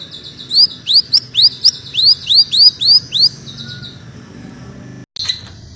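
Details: Greater green leafbird singing vigorously in a dense style likened to a magpie robin: a steady series of about ten loud upswept whistles, roughly three per second, then a brief pause and one short high burst.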